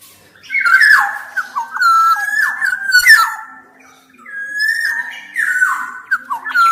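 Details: Black-naped oriole (kepodang emas) singing vigorously, used to train and rouse quiet orioles: stepped, fluty whistled phrases sliding downward, with rasping bursts, repeated in two long runs separated by a short pause.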